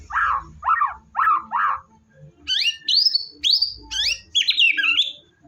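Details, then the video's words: White-rumped shama in energetic gacor song, meant to get a lazy shama singing: four repeated mellow falling notes, then loud, clear, varied high whistles in quick phrases. "MURAI BATU GACOR!!! ampuh buat burung murai batu males bunyi"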